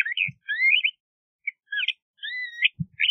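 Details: Soft, slurred whistled phrases from a LeConte's thrasher, including a long wavering note, with a couple of low thuds in the background.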